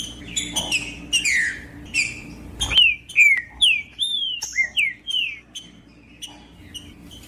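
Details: Green-winged saltator singing in macheando style, used to warm up other saltators: clicks and snaps open, then a run of clear, loud whistled notes sliding downward, each short phrase repeated about twice per second over a low steady hum.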